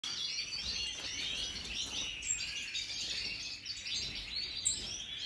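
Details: European goldfinches of the Major type, several birds, recorded in 2023: a dense, continuous high twittering of rapid chirps and trills runs throughout, with short brighter notes near the top and soft background noise.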